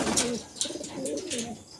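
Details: Pigeon in a loft, low soft cooing pulses with a rolling, wavering tone, several short coos across the recording with some higher-pitched rustling and clatter.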